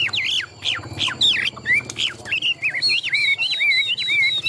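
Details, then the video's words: Large, tame Chinese hwamei kept in a cage for singing contests. Loud downslurred whistles come in quick succession, then smoother looping whistled phrases at a higher pitch, delivered steadily. "Họa mi thuần đét, Bộ to - Đấu hót rất tốt"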